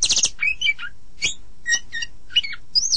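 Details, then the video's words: An Oriental magpie-robin (Copsychus saularis) sings a varied string of clear whistles and harsh, scratchy chirps, short phrases coming about every half second, with a low rumble beneath. "suara burung kacer"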